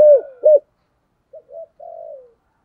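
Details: Spotted dove of the thổ voice type cooing to lure other doves, a decoy call: two strong low hooting coos, a pause, then softer short coos and a long drawn falling note, in clean silence.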